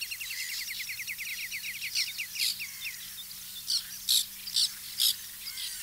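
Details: White-winged tern nesting colony in 2021: a rapid run of short clicking notes opens, followed by loud, harsh, high screeches from nearby birds about twice a second over a background hiss.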